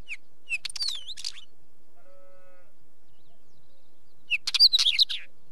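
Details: A wheatear produces two scratchy phrases, rattling clicks woven with high looping whistles, about three seconds apart, with a faint low humming tone in the gap.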